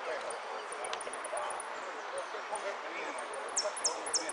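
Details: Saffron finch competing in a yellow repique singing contest at Monte Grande, 03/11/13, giving thin, very high notes, then quick descending whistled sweeps near the end, partly masked by steady crowd chatter.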